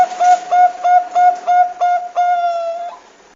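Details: Zebra dove of the perkutut bangkok type, singing as a prompt played to encourage young or lazy birds to sing: clear, flute-like cooing notes repeated about three times a second, ending in one longer held note.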